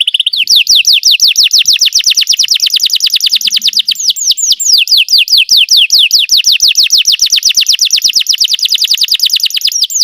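A Belgian canary sings a loud, unbroken run of rapid, high, downslurred notes, about eight to ten per second, with no other sounds.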